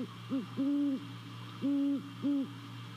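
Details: Great horned owl at a nest in Savannah, 28 December 2020 around 02:39 at night, captured by a nest camera: low steady hoots, a short one then longer ones in an uneven series, over a constant low electrical hum.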